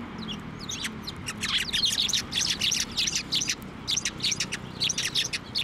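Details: A flock of sparrows coming to an outstretched hand for food at a Tenmangu shrine, 23 November 2023, keeps up a dense, continuous patter of high twittering chirps.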